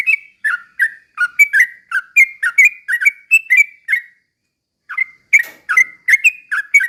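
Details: Yellow-vented bulbul (trucukan) slow ropel song for provoking other birds; a steady series of bubbly whistled notes, a silent gap of nearly a second, then the chattering phrases resume just as fast.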